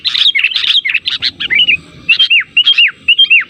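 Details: Sooty-headed bulbul lure call, used to draw other bulbuls into answering in forest or at home: bright chattering notes, then clear downslurred whistles in short groups of two or three, with a brief pause midway.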